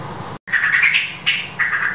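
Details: Yellow-vented bulbul, a mother raising her chicks, gives short bubbling calls with warbled notes in three quick phrases, over a low steady background hum.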